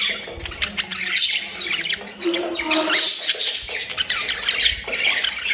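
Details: Budgerigars during breeding, with mating sounds: dense, continuous squawking chatter and harsh warbles, several birds overlapping with sharp clicks and squeaks throughout, indoors.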